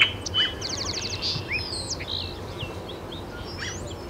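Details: Great-tailed grackle in Taos, New Mexico, on June 17, 2017: a quick burst of high, dry clicking rattles, then a sharp rising whistle and scattered faint squeaks, over a low steady rumble of background noise.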